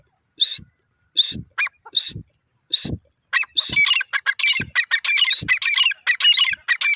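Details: Francolin (teetar) calling: several separate harsh, loud notes, then the calling speeds into a rapid chattering run of many scratchy, rising notes in quick succession.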